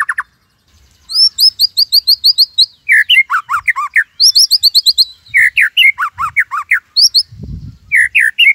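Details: Caged white-rumped shama from Cililin, tutor song: runs of high upslurred chips alternating with dense slurred descending whistles, with a soft low thump near the end.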